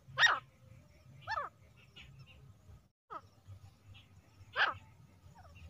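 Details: Female grey francolin (teetar) calls used for hunting. Three loud, sharp, descending notes at about 0.2, 1.3 and 4.6 seconds, with fainter calls between them and a steady low rumble underneath.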